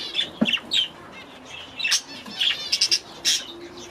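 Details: Grown-up baby budgerigars in a new aviary during their first days there give short sharp squawks and bright chirps, several in quick succession near the end.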